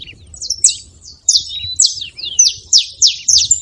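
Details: At a feeding spot, wild Saffron finches call with a few thin, high slurred notes, then a run of loud sharp chirps about three a second; faint low noise underneath.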